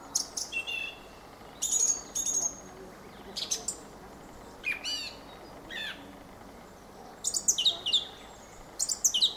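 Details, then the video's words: Squeaky, chattering song of a Fieldfare. Short creaky bursts and downslurred notes come in irregular phrases across about nine seconds, with clear pauses between groups. "Fenyőrigó ( Turdus pilaris ) éneke."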